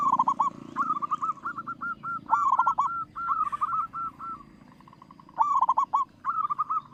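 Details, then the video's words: Zebra dove of the local type, a strong singer used as a lure: dense overlapping cooing from several birds, rippling trilled phrases interleaved with runs of short hooked notes, almost continuous. "perkutut lokal suara besar.dijamin buat pancingan no1."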